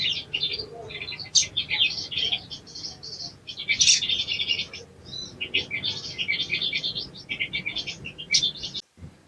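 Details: Sogon songbird singing energetic, busy strings of high chirps and trills, phrases bunched tightly with short pauses and a few loud sharp notes, ending abruptly.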